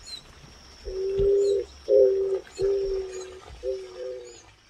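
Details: Eared dove in São Miguel do Iguaçu, Paraná, Brazil, a tame species found in town and countryside, giving four low, hollow coos, each long and steady, about a second apart, over a thin, high insect hum.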